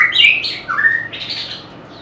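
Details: White-rumped shama, a bird prized by keepers for its varied song and mimicry of other birds; loud rich whistled phrases, a high warble dropping to a lower slurred note, then a fading upper trill.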